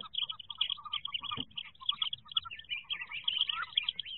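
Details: Inside a wood duck nest box in 2023, ducklings peep in crowded high chirps over bouncing rows of lower short notes, with one upward-sliding call near the end and a single soft thud.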